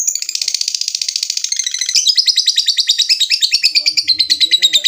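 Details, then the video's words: Lovebird giving a long chattering trill, 'ngekek', to call a rival. Rapid, harsh, buzzy notes repeat about three per second in a high, steady stream, with a slight drop in pitch midway. Faint low sounds are heard near the end. "Suara burung lovebird ngekek panjang | Memanggil lawan"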